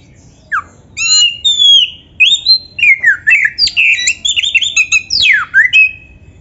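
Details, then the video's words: Oriental magpie-robin in loud, clear song for training caged birds: clear whistles, then a tumbling sequence of slurred, looping phrases and a sweeping downward whistle, in a quiet setting. "MASTERAN KACER FULL MATERI MEWAH"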